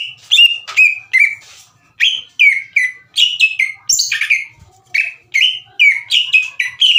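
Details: Provoking song of a green leafbird aimed at rivals: lively chains of shrill, falling notes, some very high and scratchy, delivered quickly in two phrases separated by a brief pause.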